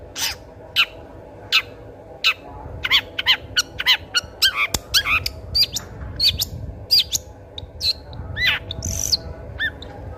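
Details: Long-tailed shrike singing energetically, used as a lure to prompt silent shrikes to sing: a rapid, varied string of sharp chirps, short whistles and harsh notes in quick succession over a low background hum.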